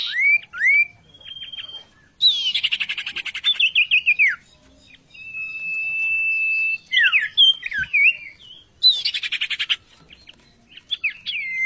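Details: Oriental magpie-robin tutor bird with scattered whistled slurs, two harsh rattling bursts and a long flat steady whistle in between, quiet gaps separating the phrases.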